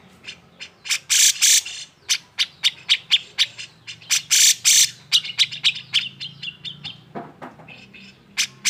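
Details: Excited grey-cheeked bulbul song used to goad silent birds into singing: fast series of sharp clicks and harsh raspy bursts, about four per second, with loud buzzy chatter near the start and middle.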